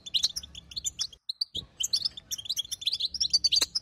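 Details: Female European goldfinch calls aimed at prompting a silent male to sing: bright, high chirps and trilled twitters, a short silence after one second, then dense twittering again.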